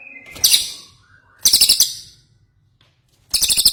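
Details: Ashy tailorbird singing short, sharp bursts of quick high buzzy pulses, three phrases in under four seconds.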